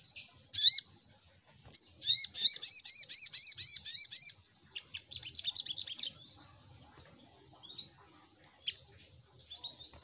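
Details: Little spiderhunter lure song: a long, fast series of high, sharp, down-slurred chirps lasting over two seconds, a second rapid burst, then sparse thin notes.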